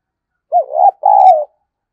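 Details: Decoy spotted dove calling to stir up other doves. One mellow, mid-pitched coo phrase: a short wavering opening note, then a longer drawn-out coo that slides slightly downward. Clean, with no other sounds.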